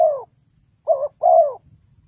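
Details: Trapping-lure spotted dove: the end of one coo, then a single complete phrase of a quick two-note coo leading into a longer, gently falling coo, mellow and mid-pitched.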